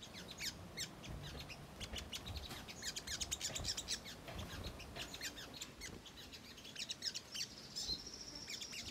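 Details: Ruby-cheeked sunbird (Chalcoparia singalensis), song: lure to provoke other birds into responding.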